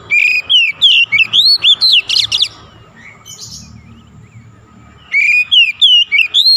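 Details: Magpie-robin pouring out loud, varied whistled phrases with rising and falling slurs, pausing briefly before resuming, over faint low background noise.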